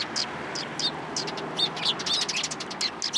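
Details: Several sparrows approaching to be fed at a Tenmangu shrine on 29 March 2023: dense, bright chirps and short tweets overlap almost continuously, with some notes sliding downward, over a soft steady background hiss.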